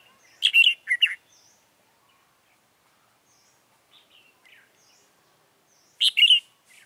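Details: A red-whiskered bulbul decoy sings to attract wild birds at a trap, 28 February 2017. A three-note warbled burst is answered by a two-note phrase roughly five seconds later, with scattered faint chirps between.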